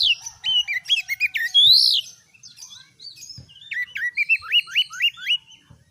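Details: Kacer, the oriental magpie-robin, in full caged gacor song aimed at toughening other birds: dense chattering phrases and a sweeping whistle, then a quick train of about eight hooked rising whistled notes.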